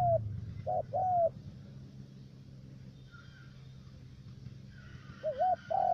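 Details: Cà Mau decoy spotted dove from U Minh, Vietnam, calling to lure wild doves for trapping: a falling coo and a wavy note with a long sliding coo, a pause of several seconds, then another wavering-and-falling pair over a steady hum.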